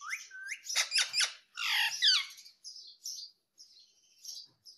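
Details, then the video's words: Pet parrot indoors giving a run of loud harsh squawks and short rising whistles, with softer high chirps trailing off after a brief pause. "Natural Parrot Sound ❤️ talking Parrot mummy papa"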